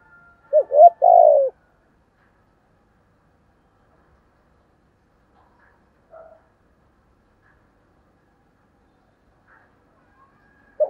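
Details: Decoy spotted dove, quick to call. A short cluster of coos ends in a grainy longer note near the start. It is followed by long silence with only faint distant traces and one brief coo at the end.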